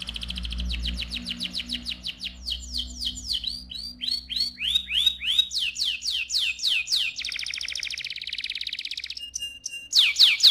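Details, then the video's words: Loud, lively AF canary song in the rolling (ngerol) style: long varied runs of rapid sweeping whistles, changing phrase after phrase, a steady buzzing roll near the end, then fresh sharp chirps. "KENARI AF GACOR, NGEROL VOLUME KERAS"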